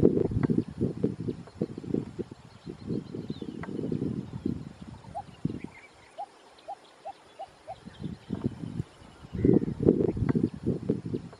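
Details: Lesser coucal in Kerala, India: a run of about six short, hollow, low notes spaced evenly about half a second apart, set between heavy bursts of low rumbling noise before and after.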